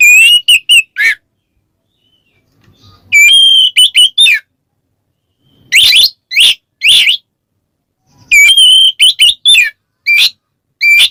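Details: Oriental magpie-robin challenging a rival with ngeplong calling: clear ringing whistles in short groups, broken midway by several harsh, raspy notes, then more quick whistled series.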